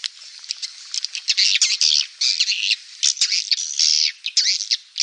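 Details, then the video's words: Swiftlet calls used to lure swiftlets: dense, harsh chattering and squawky twitters in irregular bursts, overlapping and buzzy throughout. "Suara panggil burung walet terbaik terbaru"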